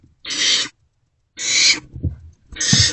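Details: Barn owlets in an owl box at night trading a vole between them; three long wheezing hisses with low scuffling and shuffling noises mixed in between calls.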